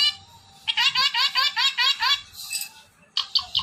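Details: Talking ring-necked parrot giving a rapid run of about ten short, bouncing harmonic syllables like chuckling, then a brief pause and a few more clipped notes.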